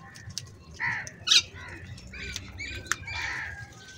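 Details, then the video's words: Crows gathering in the morning, squabbling over food: several harsh, hoarse caws in short bursts, some doubled, scattered across four seconds, with background clicks and faint bird chatter. "Crow Sounds | Crow Unity In Morning"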